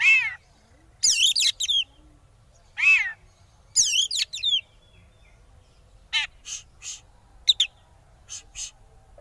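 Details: Oriental magpie-robin singing in the konslet style, used as a lure to make rival birds sing: harsh, stacked rasping notes in short bursts, then a run of quick clipped chips spaced under a second apart.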